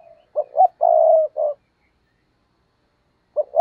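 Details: Decoy spotted dove cooing to stir and lure wild doves: a hoarse phrase of two short coos, one long drawn coo, then a short closing note. The phrase starts again near the end after a silent gap.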